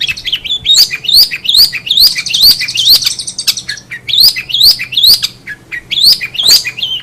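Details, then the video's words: Long-tailed shrike song: a fast series of rising squeaky whistles mixed with harsh chattering notes, repeated in quick succession. "SUARA KICAUAN CENDET"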